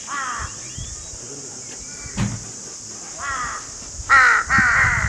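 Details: Repeated hoarse cawing from crows, also named ravens: a caw at the start, another near three seconds, then two loud, grating caws back to back at the end, with steady hiss throughout.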